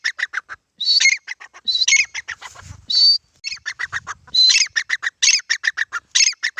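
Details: ['Grey francolin calling repeatedly: loud whistled notes break into rapid trains of short, harsh, rhythmic notes, with several phrases over more than six seconds and faint low rumble between them.']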